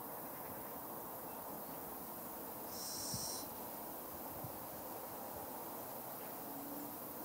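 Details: Fledgling little owl producing one short, wheezy hiss in the middle of an otherwise quiet stretch with a low steady hum.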